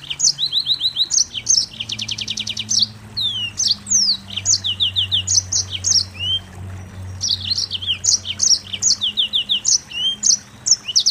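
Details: Mozambique canary in tight, nonstop song, mixing fast high chirps, sharp slurred whistles and a rapid buzzy trill of repeated notes; a faint low hum runs underneath.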